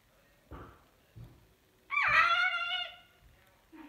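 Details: A pet cockatoo in its covered cage at night after bedtime gives one loud, harsh, drawn-out squawk lasting about a second, with soft indoor thumps and knocks before and after.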